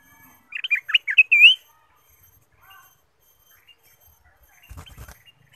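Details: Ruby-throated bulbul song, a lure to prompt other birds to sing: a rapid run of six or seven rich, rolling whistled notes ending in a longer wavering note, then near silence with a brief low rumble near the end.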